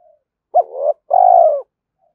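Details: Cooing of a spotted dove used to draw in a rival: one brief upswept note, a short pause, then a drawn-out steady coo that sinks at the end, clear and noise-free.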